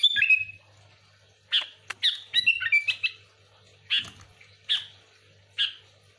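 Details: Sooty-headed bulbul singing energetically, a recording meant to lure bulbuls; a tumbling whistled phrase, then short clear chirps spaced roughly one second apart, with a faint constant hum underneath.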